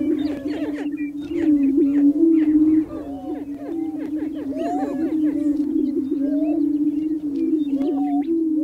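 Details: Male greater prairie chickens booming on their lek in spring to attract females: constant low droning tone, with crowded rising cackles and whoops overlapping, louder in the first three seconds.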